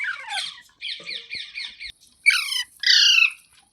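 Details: Pet parrot, filmed as talking, making soft rhythmic chatter of four repeated notes, then two loud, harsh, buzzy squawks in a small room.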